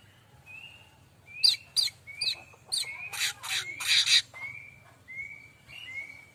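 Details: Varied song of a streaked weaver, known locally as manyar kembang, used to train other songbirds: short clear whistled slurs alternating with harsh scratchy buzzes and clicks.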